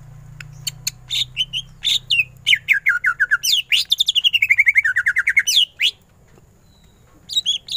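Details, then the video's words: Greater green leafbird in vigorous ngentrok-style song with full bursts: rapid chirps building into a long fast run of rolling, wavering notes, then silence and a final short flourish; low hum at the start. "Cucak ijo gacor full tembakan ngentrok"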